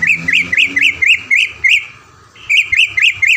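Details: Caged greater green leafbird, a frequent winner at events near Palembang, gives evenly spaced rising-falling whistled notes about four per second, broken by a short gap before the series resumes.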